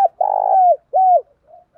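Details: Spotted dove calling to lure and fight another dove: a long rough, vibrating coo easing downward, then a smooth arched coo and a faint soft trailing note.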